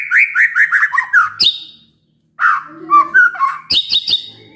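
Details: White-rumped shama lure song to set other shamas off answering: a series of rich whistled downslurs, a loud click, a short gap, then warbled phrases ending in sharp clicks and high notes.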